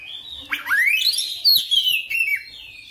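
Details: Oriental magpie-robin in insistent full-repertoire song, long sliding whistles that swoop upward and down, with a sharp note midway.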